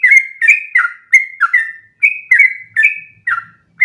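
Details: Sooty-headed bulbul in a long, unbroken run of song meant to teach other birds; clear whistled phrases, each dropping in pitch, repeated quickly with brief gaps, and a faint low hum underneath.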